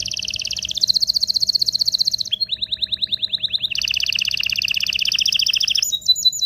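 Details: Excited canary song meant to stir males and females toward mating: rapid rolling trills of about 150 notes a minute, shifting between high and lower registers in distinct tours, ending with sharp high chirps.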